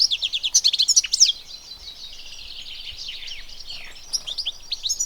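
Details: European goldfinch song from nature: a dense, fast twittering of tinkling, buzzy high notes, loud in the first second and a half, softer and continuous after, with fresh bright bursts near the end.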